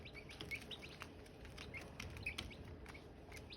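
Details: Silkie chickens, hatching eggs and chicks: a few separate high, slurred peeps are scattered among soft clicks and tapping, with a low steady background.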